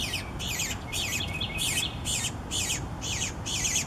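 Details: Eastern Bluebird young begging while parents feed them: rapid series of short, high, scratchy chirps, roughly two per second, over a steady low rumble of background noise.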